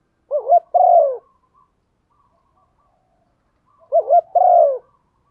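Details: Female spotted dove giving coos to stimulate the male: two phrases about three seconds apart, each made of a rapid wavering double note and a longer falling hoot, with near silence around them.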